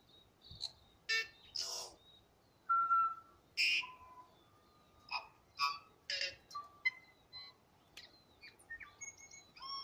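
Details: Tui in song at Waikouaiti, delivering a varied run of loud phrases: clear mid-pitched whistles, bell-like tones, raspy wheezes and sharp clicks, spaced roughly every half second to second, rising to high chimes near the end.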